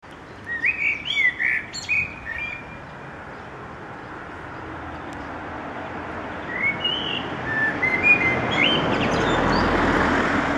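A Black Thrush sings short, warbled whistled phrases in two bursts, a pause between them, over a steady rushing background hiss that grows louder.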